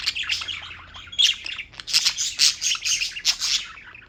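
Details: Several pet birds chirp without pause in New York, bright high tweets and buzzy squawks crowding together, growing busier in the second half.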